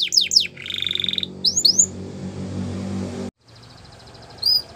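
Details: Canary training song, Russian and Belgian canary style, for teaching young canaries: quick high descending sweeps and a short buzzy roll, then a low steady rumbling noise, a brief silence and one last high note.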